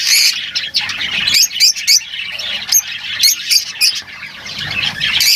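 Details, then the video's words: Lovebirds chattering in a busy, overlapping stream of sharp high chirps and raspy squawks, uneven in rhythm, several birds seemingly calling at once. "Huni ng Lovebirds | Love birds Singing [ Call Sound ]"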